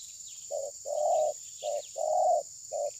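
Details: Spotted dove decoy in a tabir-style trapping session, recorded on a phone. Mellow, hollow coos alternate short and long notes in a rhythmic pattern of about five notes over three seconds, with faint insect hiss behind.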